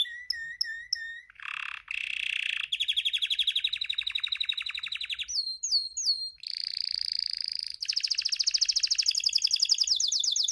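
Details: Male Spanish timbrado canary singing while in breeding condition: a long run of rapid, metallic repeated trills, shifting between lower rolling phrases and high ringing ones, with a few sweeping whistled notes.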